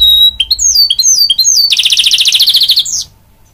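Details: Goldfinch-canary mule opens with clear whistled notes rising in steps, then breaks into a loud, fast buzzing trill lasting over a second, finishing with a brief upward sweep.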